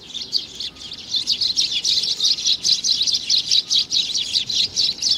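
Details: Young sparrow, June 2019, keeps up a steady stream of piercing high chirps, roughly two to three a second, growing louder and more even toward the end.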